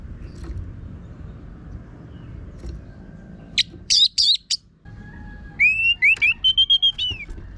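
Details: Lively, rough-toned song of an Orange-headed thrush used as a singing lure for other birds. A burst of sharp high chirps is followed, after a short gap, by rising whistles and a rapid row of steady whistled notes. Faint hum behind.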